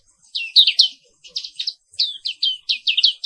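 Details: Indonesian endemic black-capped white-eye giving morning song: high twittering phrases of rapid falling chirps, grouped in quick runs with short gaps.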